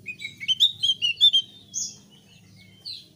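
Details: Vigorous song of a thick-billed white-eye used to coax newly kept birds into singing: a fast series of sharp, high chirped notes with slurred twitters, ending in a couple of spaced squeaky calls over a soft low hum.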